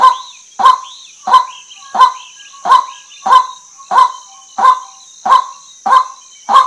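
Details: Harsh croaks from a female white-breasted waterhen, eleven notes in under seven seconds at an even, steady pace. Soft twittering whistles sound early on, over a constant high-pitched background hiss.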